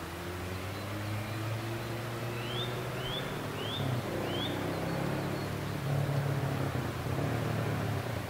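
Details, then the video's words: Eurasian nuthatch (Sitta europaea) song on 12 April 2015, the unseen bird giving four quick rising whistles, about two a second, over a steady low rumble of distant traffic or engine noise. "ゴジュウカラ "Sitta europaea" の鳴き声（囀り)"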